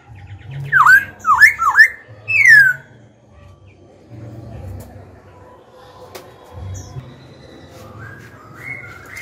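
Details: Black-throated laughingthrush, song for provoking rivals and tutoring young birds: three fast swooping whistles and a falling slur at the start, then mostly quiet with a faint whistle near the end.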